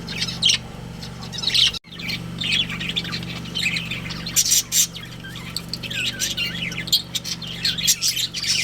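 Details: Budgie breeding pair kept as pets, irregular high chirps and squawks with a brief gap near two seconds, later bursts of sharper notes over a steady low hum.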